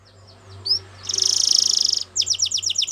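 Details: Belgian canary singing: a few thin high whistled notes, then a fast, dense, buzzy trill lasting about a second, followed by a quick run of repeated sharp chirps, over a faint steady low hum.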